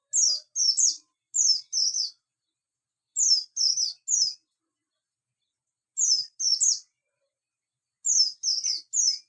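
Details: Morning song of a Javan white-eye, bustomi style: quick high chirping notes in clusters of two or three, repeated about every two seconds, clean with no other sounds.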